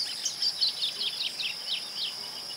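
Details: Masked yellowthroat recorded in the city of Ouro Preto, Minas Gerais, Brazil: a rapid run of high, thin descending chirped notes over a steady high insect-like hiss.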